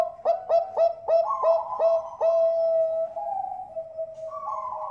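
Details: Bangkok zebra dove song meant to coax other birds into singing, from a Bekasi, West Java breeding farm: loud clipped coos in a fast series of about seven, then a long drawn, wavering trill tailing off.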